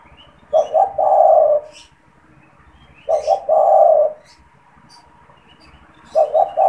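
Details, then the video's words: Spotted dove in a cage, a frequent caller used to attract and provoke wild doves, repeating a low coo phrase three times, each a short doubled note and a longer held coo, light chirping of other birds behind. "SUARA PANGGILAN DAN PANCINGAN TEKUKUR TERBARU | TEKUKUR GACOR BAGUS BUAT PIKAT"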